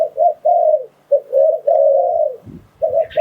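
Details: Spotted dove lure call used for trapping wild doves: mellow, low hooting coos in short and drawn-out phrases, the longest held about a second, separated by brief pauses, with a faint chirp at the end.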